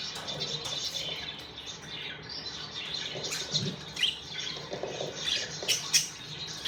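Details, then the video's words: Several happy budgerigars chattering together: continuous high, scratchy twitter with sharp chirps and squeaks, intermittent louder notes and some soft rustling or pattering in the background. "Happy Budgies chirping sound"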